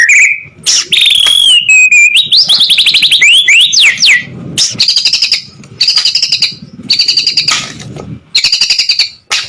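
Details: White-rumped shama song serving as training material for competition birds: loud, varied whistled phrases with rising and falling notes, then rapid rattling high trills repeated in bursts about every second.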